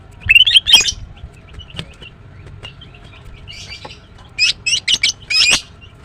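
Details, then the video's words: Female greater green leafbird, known locally as green cucak, chirping in the morning: a burst of bright, high twittering notes, a quiet gap, then a run of four sharp, buzzy chirps near the end. "The female Green Cucak bird is chirping well, GREATER GREEN LEARBIRD"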